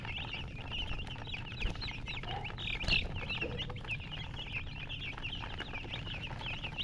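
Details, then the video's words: Baby chicks chirping continuously: many overlapping high, thin peeps, one brief louder squeak near the middle, with a low background hum. "silly chicken chirping sounds with murgi hen color chicken"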